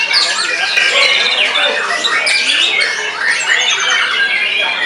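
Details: Post-molt white-rumped shama in frenzied full song, aimed at beating rival birds: a busy torrent of varied whistles, sharp rising and falling slurs, and chattering notes that run on without a break.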